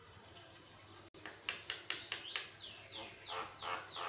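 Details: Javan myna in full song, a varied-voice recording used as a master to train other mynas: a run of bright, steeply falling whistled sweeps repeated about twice a second, quiet background hum.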